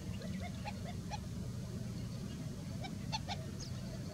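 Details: Chestnut-bellied sandgrouse in Rajasthan, India, give short, throaty, honking notes in irregular bursts, several birds overlapping, over a steady low rumble of wind.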